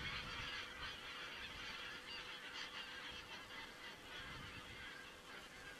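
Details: Geese on 27 September 2017 in Estonia, captured by a webcam watching cranes; a thick wall of rapid, overlapping honks from a large flock, steady from start to end.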